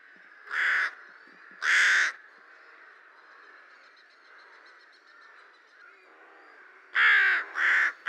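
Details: Rooks in spring, returning to Lithuania: harsh, grating caws, two single calls early, then a quick double caw near the end, with quieter background cawing and faint chatter of other birds between them.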